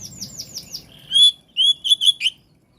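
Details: Oriental magpie-robin song, used to provoke other magpie-robins into responding: a few quick descending high notes, then clear sliding whistles and short rapid chirps in a burst.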